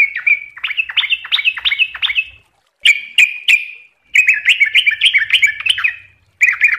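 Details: Yellow-vented bulbul (trucukan) in lively 'ropel' song: a run of looping, upward-swooping whistles, then sharp clipped notes and a long chattering, warbled phrase, with little background noise.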